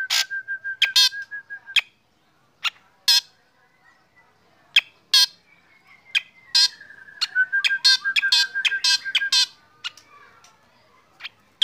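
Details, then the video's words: Sunning in the morning, a black drongo sings while other birds respond: rapid series of loud, scratchy notes and a running line of even, repeated whistles, a quiet gap midway, then a dense, energetic burst. "KICAUAN SRIGUNTING HITAM PAGI HARI SAAT DI JEMUR BIKIN BURUNG LAIN IKUT BUNYI"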